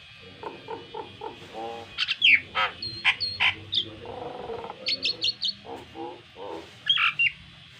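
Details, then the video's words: Varied song of a Nias hill myna serving as a training model for captive mynas, mixing nasal chattering notes with sharp whistled and squeaky bursts at irregular spacing over a faint hum. "BURUNG JALAK NIAS GACOR FULL ISIAN"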